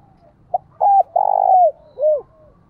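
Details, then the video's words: Single luring phrase from a decoy spotted dove: a quick pip, a short coo, a long burry coo gliding down, then a rounded final coo. "Tiếng chim cu gáy kích bổi gáy gọi giọng hạp bổi nhất"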